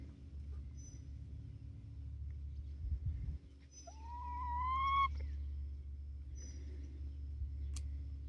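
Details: A 19-week-old chicken from a small Barred Rock and Gold Star flock near Iola, Grimes County, Texas, gives one rising drawn-out call lasting about a second, set against a quiet steady low rumble.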